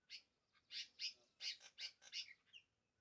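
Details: Bulbul song of short, sharp chirped notes in quick, uneven bursts, ending in a brief slurred whistle, over a quiet background.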